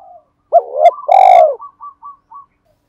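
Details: Lure spotted dove used to provoke wild doves: a brief phrase of two arched coos and a loud throbbing purr with a harsh edge, trailed by four soft, evenly spaced short notes.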